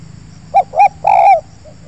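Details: Spotted dove at an oil palm plantation, wild bird drawn to a lure: a single loud phrase of a quick coo, a second coo and a longer, drawn-out falling coo, then a faint distant coo.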